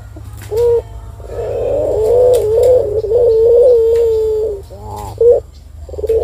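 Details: Turtle dove coo used as a lure to set other birds calling. A short note comes first, then one long, low, purring coo lasting several seconds, then brief clipped notes.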